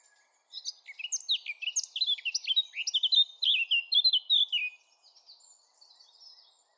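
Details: Eurasian blackcap singing a lively run of clear, quick, varied whistled notes, loud in the middle and ending with soft, scratchy high twittering.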